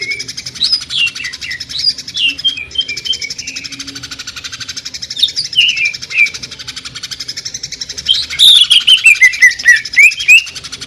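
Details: Greater green leafbird (cucak ijo) singing in the jamtrok 'tembakan' style likened to a sewing machine: fast rattling chirp trains with high whistled glides, bursts that swell and fade, loudest rapid stutter near the end.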